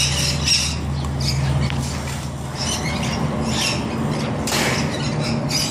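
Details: Several rainbow lorikeets bathing at an ostrich ranch: rasping, high screeches repeated in short uneven bursts over about six seconds, with a constant low droning hum underneath.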